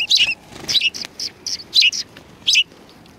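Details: At a Tenmangu shrine on 7 February 2020, sparrows come in to be fed. A rapid, lively string of sharp, high chirps and tweets, about three per second, follows closely one after another.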